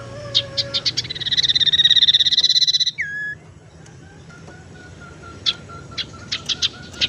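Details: Lure call of a tailorbird, used to attract birds or get a silent one singing: a rapid buzzy trill of about twenty pulses, then a short downslurred whistle, followed by scattered sharp chips.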